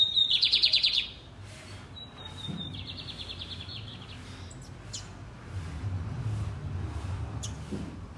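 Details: Lined seedeater singing loud and full: a loud buzzy trill of rapid repeated notes, then a thin level whistle leading into a softer trilled phrase. Faint low background rumble.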